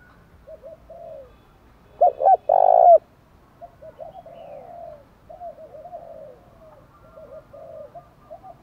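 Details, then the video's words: Spotted dove coo aimed at stirring wild doves to call: faint distant coos repeating throughout, with one loud close phrase of two short notes and a drawn-out purring coo near the middle. "Tiếng chim cu gáy thúc đấu rú bổi gây ức chế rất cao, bổi lỳ mấy cũng gáy theo liền"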